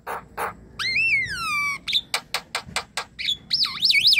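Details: Javan myna song played to prompt a silent myna to sing: two husky notes, a long downward-sliding whistle with rich overtones, a quick series of sharp clicks, then looping, warbling whistles rising in loudness.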